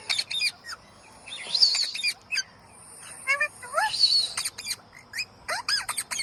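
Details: Green parrot giving scattered sharp squawks and short chirps, with a couple of longer rasping, speech-like phrases mixed in, spaced irregularly with quiet gaps.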